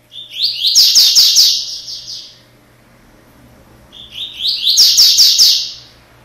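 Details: A double-collared seedeater, blue-billed, gives a straight song of two bright, rapid warbling phrases, each about two seconds long, high and slurred with quick trilled notes, over a faint low hum.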